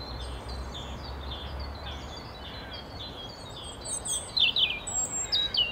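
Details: European robin (Erithacus rubecula) in Tivoli landscape park, Ljubljana, 28 March 2022, sings thin, high warbling phrases that strengthen toward the end, over a steady background of low traffic-like rumble.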